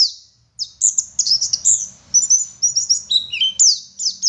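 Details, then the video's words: Garut-type Oriental white-eye from West Java in lively song after a short silence: quick high chirps and slurred whistles, some notes dropping in pitch, tumbling in dense bursts over a faint low rumble. "Burung Pleci Gacor Ngalas Wit Wit Sambung Ngeriwik Full Isian"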